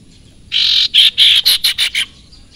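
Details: Sirpu, also called sirtu, in full song; a rapid run of seven harsh, buzzy, high notes, the first longest, then shorter bursts spaced about a quarter second apart, over a quiet background.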